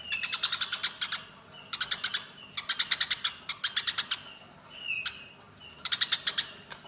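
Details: Aggressive chatter of Eurasian tree sparrows during a fight: five bursts of fast, rasping chirps, each around a second long, with soft whistled notes in the gaps.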